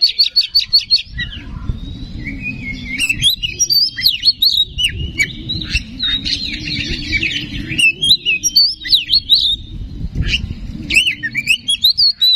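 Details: Oriental magpie-robin (kacer) song meant to provoke singing: opens with a fast repeated chattering note, then rich warbled and whistled phrases over a steady low droning background noise.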